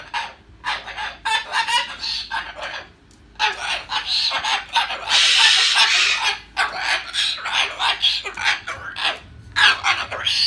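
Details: Pet bird grumbling and telling off its owner before going back into its nest, a rant of harsh, buzzy chattering notes repeated rapidly in bursts, with a louder sustained rasp midway.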